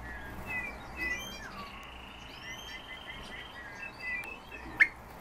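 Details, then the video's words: Several European bee-eaters calling: rolling, burry notes are repeated in loose overlapping series at a middle-high pitch. Thin higher whistles and faint background hiss come and go, and a sharp click sounds near the end. "Merops apiaster щурки"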